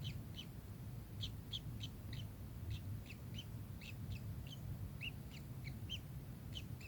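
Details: Kingfisher chattering in quick, clipped high notes, repeated steadily about twice a second, some slightly lower and downslurred, above a steady low background drone.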